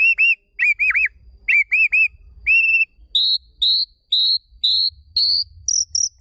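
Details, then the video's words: Magpie-robin song used as training audio for a caged bird that has stopped singing: clear whistled notes, first looping up-and-down phrases, then short flat upward whistles repeated about once a second in a quiet background. "Audio Refleksi atau latihan untuk burung murai yang mogok bunyi"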